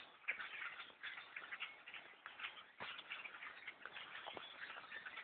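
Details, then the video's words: Thousands of blackbirds swarming the trees around a bow hunter's tree stand, a dense unbroken chatter of many overlapping clicking and squeaky calls with no pauses. "attack of the black birds in a tree stand"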